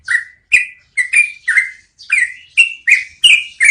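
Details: Yellow-vented bulbul long rolling song, used to train cage birds: strong liquid whistled notes, falling or slightly rising, given in quick uneven succession with tiny pauses between them.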